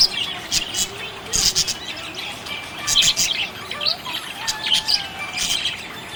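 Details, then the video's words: Happy budgie chatter of bright tweets and twittering warbles, punctuated by short sliding whistled notes and a few sharp clicks, the birds calling nonstop. "Happy budgie chirping sound"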